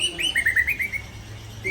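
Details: Aceh white-rumped shama being prepared for a singing contest: a quick run of short chirping notes, stepping down and then levelling off, followed by a quieter stretch with faint background hum.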